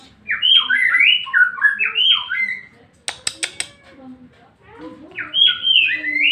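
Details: White-rumped shama singing to provoke another shama: two rich bursts of quick varied whistles, a set of sharp clicks in the middle, then a final whistled phrase.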